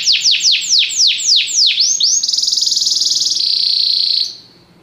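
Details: Singing Belgian canary in song training: a series of about eight sharp descending swoops, then a dense, steady rattling trill that shifts pitch slightly before stopping abruptly near the end.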